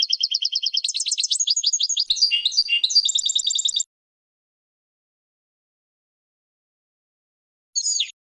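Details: Training song of a European goldfinch: quick, evenly spaced trills and tinkling twitters for almost four seconds, a long silence, then one short descending chirp.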